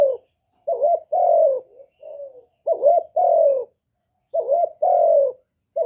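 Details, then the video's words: Captive decoy spotted dove cooing, recorded directly without background noise, used to stimulate other kept doves: low, throaty coos in groups of two or three, a short rising note then a longer falling one, repeated about every two seconds. "Tiếng chim cu mồi GÁY GỌI + THÚC + GÙ kết hợp kích bổi"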